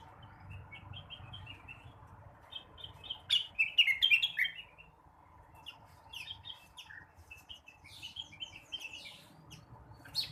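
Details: Morning singing by a blue-winged leafbird: scattered short chirps building into a loud rapid burst of slurred whistles, then softer intermittent phrases and a final sharp note.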